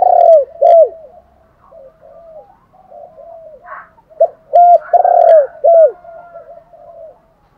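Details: Luring call of a spotted dove: strong low coos, two short notes opening, then a phrase of four with a long swelling third note, softer cooing and brief higher bird calls behind.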